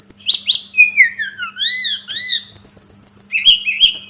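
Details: Sunda robin, called tledekan gunung locally, in a tutoring recording. Sharp high notes lead into smooth arching whistles that rise and fall, then a quick run of repeated bright chirps. A low hum runs steadily beneath.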